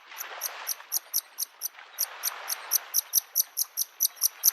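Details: A Bluethroat, singing from an old tree near a lake in spring, repeats a bright, high ticking note about four times a second in a steady series, over the soft wash of lapping waves.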